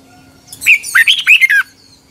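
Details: Red-whiskered bulbul giving an intense morning training song, 2021: a single loud phrase of about six liquid whistled notes, swooping up and down, lasting just over a second.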